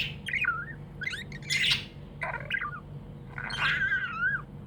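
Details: Happy pet budgie warbling: wavering whistled notes mixed with raspy chattering bursts, ending in a longer warbled phrase, with quiet hum behind.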